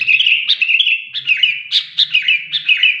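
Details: Sooty-headed bulbul singing: a rolling, chattering trill punctuated by sharp accented chirps about twice a second. A faint low hum is heard beneath.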